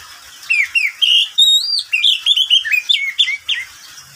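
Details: Oriental magpie-robin kept as a pet, singing at midday: a rapid run of clear whistled notes, some long, some falling, with slurred upward and downward sweeps, delivered almost continuously with short gaps.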